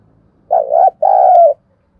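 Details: Spotted dove used as a lure to excite wild doves: one full, mellow coo phrase, a wavering opening note and a longer sustained second note, over a faint low rumble.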